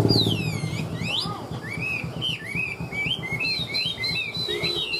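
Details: Caged Chinese hwamei with 'ngũ trường' song, tame and a good fighter: sweeping descending whistles followed by a rolling sequence of rising, bouncing notes, a low rumble underneath.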